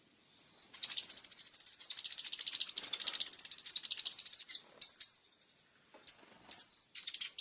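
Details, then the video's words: Clear-voiced plain-throated sunbird song of sharp 'tembakan' bursts: a long, crowded, high-pitched twittering phrase with thin sustained whistles, then scattered short sharp chips after it. "KOLIBRI NINJA GACOOR FULL TEMBAKAN TAJAM||suara jernih"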